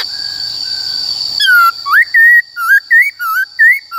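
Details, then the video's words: Forest-voice song of a white-cheeked laughingthrush, used for voice training of young and wild-caught birds: after a quiet start, a quick string of short whistled phrases alternating up and down, about six notes, with a steady high hum. "Khướu Bạc Má HÓt Giọng Rừng Bao Phê"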